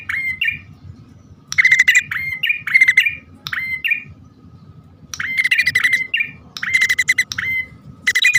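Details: Bar-winged prinia, male and female calling, in a lure recording: short upslurred whistled notes near the same pitch, often paired, alternating with dense buzzy chattering bursts, over a low rumbling background.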